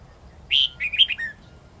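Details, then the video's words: A red-whiskered bulbul sings a giọng rừng forest-style song with long twisted notes, used as a tutor for young birds: strong whistled start, then swirling warbled notes ending in a lower slurred tone. "Chào mào hót giọng rừng âm dài xoắn cực hay/Dùng luyện chào mào non,má trắng học giọng rừng"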